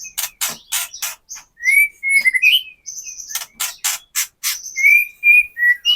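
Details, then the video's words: White-rumped shama in kretekan style, used as a lure to make other shamas sing and show fighting spirit: bursts of dry crackling notes alternate with clear whistled phrases near the middle register, some slurred upward, closely spaced. "KRETEKAN MURAI BATU GACOR AMPUH UNTUK PANCINGAN MURAI BATU AGAR BUNYI, EMOSI dan BONGKAR MATERI"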